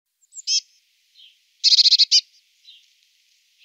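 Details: Eurasian blue tit giving high, thin notes and a fast burst of about six scolding, churring pulses, followed by faint scattered calls; no other sounds.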